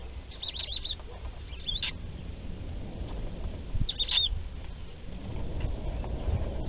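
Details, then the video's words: Barn owl at a nest in Théding on 10 July 2020, during the hatching of the second chick: short, thin, high squeaky bursts near 0.5, 1.8 and 4 seconds over a steady low rumbling background. "2ème naissance - 10/07/2020 - Les Chouettes Effraies de Théding"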